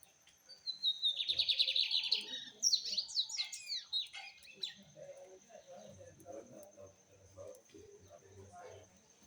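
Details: Rusty-collared seedeater singing a loud rapid trill that breaks into a cascade of sharp, sweeping whistled notes, then fades; low murmuring sounds follow in the background.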